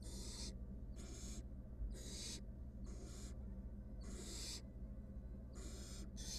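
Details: Wild female barn owl in a research nest box, in a clash with her mate or an intruder, keeps up a steady series of rasping hisses, about eight bursts spaced roughly a second apart.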